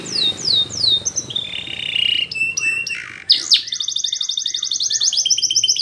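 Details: A Belgian canary sings as a model for young canaries: three falling whistled slurs, then a mid-pitched roll and a sudden rising note leading into a long fast trill, with a low rumble behind.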